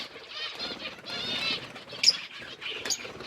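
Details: Budgies at their food on October 29, 2023 give a low-level warbling twitter with a few scratchy buzzes, broken by two brief, sharp high squeaks.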